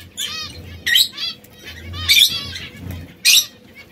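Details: Red, yellow and brown canaries, three small exotic birds that sometimes quarrel, give loud clipped chirps in four separated bursts, each a quick rasping cluster, with a soft low hum between them.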